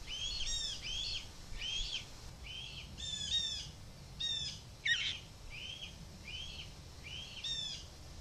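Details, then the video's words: Fledgling male red-tailed hawk screaming for food at its mother flying below the nest, July 2023: repeated squealing kee notes in uneven runs, some rich and layered, one sharp downward crack near the middle. "Deyani Sees Mom & Screams!"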